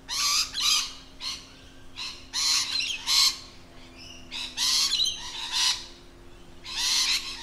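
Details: Harsh, scratchy shrieks from lorikeets in their natural habitat, delivered in uneven clusters of two or three notes with short gaps and an occasional thin whistle, over a faint low hum.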